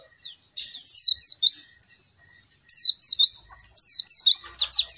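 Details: Captive Oriental white-eye singing to spur lazy birds: clusters of three or four sharp, falling high whistles, repeated after short quiet gaps, ending in fast trilled notes.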